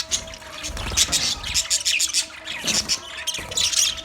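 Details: Budgerigars in a colony chirp and squawk in overlapping high, harsh bursts, with louder peaks near the start, middle and end.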